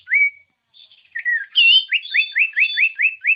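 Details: Common iora song used to provoke birds into singing: a long whistled note, then a drawn whistle, followed by a rapid series of about seven short rising whistled notes.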